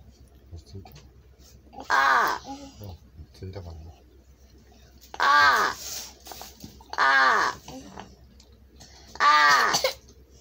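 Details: Large-billed crow (Corvus macrorhynchos), apparently kept indoors and being taught words such as "ohayō" (good morning), gives four loud, hoarse, drawn-out caws spaced two to three seconds apart, with faint quieter sounds in a small room.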